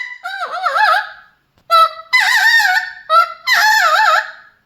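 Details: Pet Mealy amazon parrot singing: rich harmonic, wavering yodel-like phrases with warbling pitch, delivered in about four separate bursts separated by short pauses.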